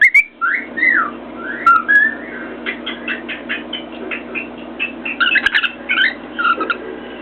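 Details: Caged pet cockatiel on top of its cage by a mirror, whistling freely: sliding, looping whistles rising and falling, then a stretch of quick repeated taps and chirps, ending in more warbled whistle notes over a low room hum.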